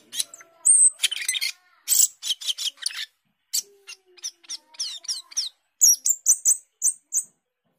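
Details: Cucak keling, the Asian glossy starling, a fruit eater said to imitate many bird species, delivering a varied song of sharp high whistles, scratchy bursts and clicks, ending in a series of clear repeated high whistled notes.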